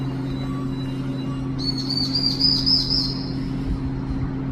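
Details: Long-tailed tit chick, lost and crying for its mother, gives a single high buzzy warbling trill lasting nearly two seconds. A constant low droning hum runs underneath.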